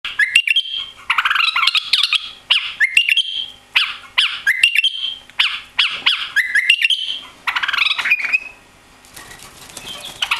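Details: Newly arrived White-eared bulbul, missing its tail after travel to Europe, sings short whistled and chattering phrases with sharp clicks, each burst about half a second to a second long, separated by brief pauses.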